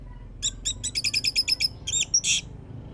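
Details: Orange-headed thrush song used as a lure to start another bird singing: a rapid string of about ten even, high chipping notes, then two looped whistles and a final harsh burst, over a low background hum.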